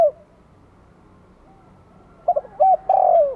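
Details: Spotted dove lure call from Vietnam to draw wild doves: a quiet stretch, then a phrase starts with clipped coos leading into a long rolling coo that is cut off at the end.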